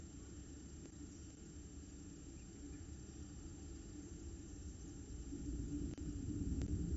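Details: Low engine-like rumble that grows louder toward the end, with a faint hum and no animal calls.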